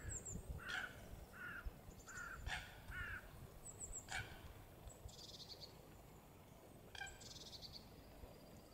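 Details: A grey heron, filmed from a distance in the Biesbosch wetlands, gives harsh, hoarse croaks and short rasping squawks repeated irregularly, with faint high chirps of small birds and a low rumble of wind.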